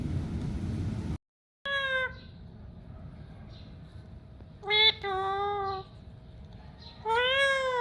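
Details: Pakistani pet parrot talking: clear, drawn-out tonal wails, slightly rising then falling, each lasting about half a second to a second, separated by pauses, over a steady low hum.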